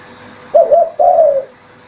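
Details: A single phrase of spotted dove cooing used as a lure for hunting: a short wavering double coo followed by a longer, smoothly falling coo.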